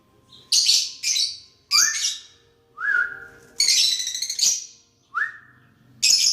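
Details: Interacting lovebirds: harsh high chirps mixed with short, lower whistled notes that dip slightly, plus a buzzy chattering stretch in the middle of the exchange.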